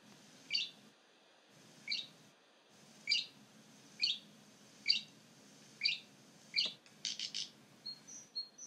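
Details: Great grey shrike singing at Stjørdal near Trondheim Airport, Norway, on 3 April 2019: sharp high chirps repeated about once a second, then a fast rattling burst of several notes and a few thin closing whistles.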